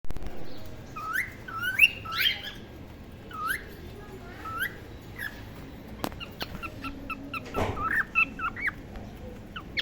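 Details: Several cockatiels in a breeding colony give short, rising whistled chirps that overlap in a busy chorus.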